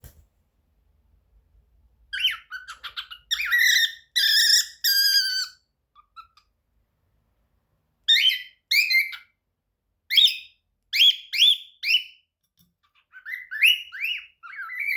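A young cockatiel practises its song in bursts of harsh, warbling chirps and rising whistled notes.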